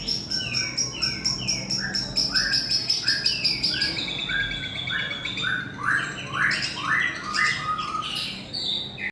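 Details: Singing Long-tailed shrike copying a lovebird: repeated downslurred squeaky notes, roughly two per second, mixed with high chattering bursts and harsher chips, delivered continuously and energetically.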